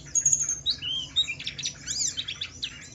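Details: Ngalas song of a Javan white-eye, Wiklus Wiksar type, meant to prompt other white-eyes to answer: high chirps, a drawn-out falling whistle, then a jumble of fast twitters.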